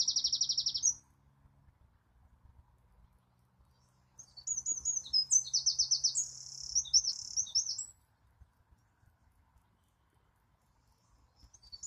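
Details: Wren singing: a brief burst of rapid high notes, a pause of several seconds, then a long energetic phrase of fast trills and chattering notes, then quiet.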